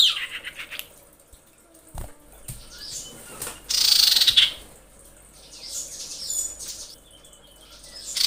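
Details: Female common iora in breeding condition, screeching to call males: a harsh, pulsed churring burst of about half a second stands out among faint chirps and scattered clicks and knocks.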